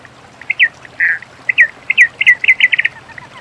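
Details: In the wild a many-colored rush tyrant sings a phrase: sharp opening notes, a burry held note, then paired notes speeding into a fast even series, with low background noise.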